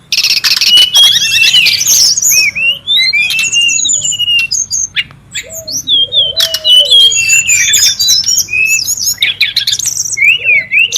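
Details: Brown-chested jungle flycatcher singing busily in the wild: a dense stream of high, quick whistled phrases with rising and falling slurs and rapid trills, plus lower descending whistles underneath.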